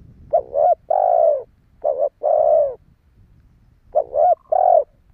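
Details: Spotted dove calling to lure wild doves, three paired coo phrases: a quick dipping note followed by a drawn-out mellow coo, with a soft low hiss between phrases.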